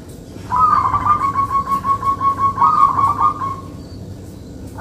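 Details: A local zebra dove (perkutut) in full song, used as a lure call, gives a soft, rapidly rolling trill of mid-pitched coos lasting about three seconds over a low background rumble.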